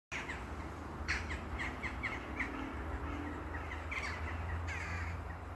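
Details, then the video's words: A flock of crows at a castle calls over one another with short, harsh notes in quick, overlapping bursts, over a steady low rumble of background noise. "Krähen Bazar"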